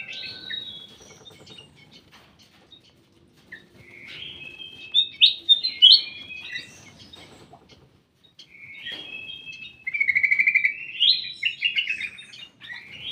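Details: Ruby-throated bulbul kept in a private aviary, singing two bursts of bright, jumbled warbling notes separated by several seconds of near silence, the second burst ending in a rapid rattling trill.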